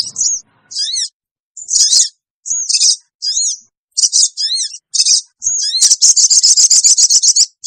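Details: Sooty-headed bulbul lure call, used to draw wild birds together quickly: high, thin chirps and short chevron-shaped notes in separate bursts, ending in a fast, dense run of sharp repeated chips.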